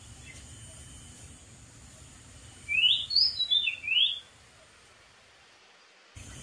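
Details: Wild Oriental magpie-robin singing from atop a dead tree: after quiet, a quick burst of four bright, sliding whistled notes lasting about a second and a half, with faint high insect hiss behind.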